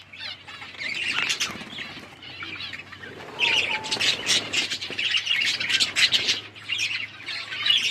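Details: Budgies out in the winter rain keep up busy, raspy chatter of squawks and chirps. It starts moderate and becomes a dense, continuous stream in the second half, over a faint low hum.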